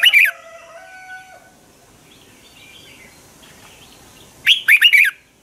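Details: Red-whiskered bulbul morning fighting song used to train birds, a loud warbled phrase opening, then faint background whistles and a long quiet gap before another rapid run of bright, rising-falling whistled notes.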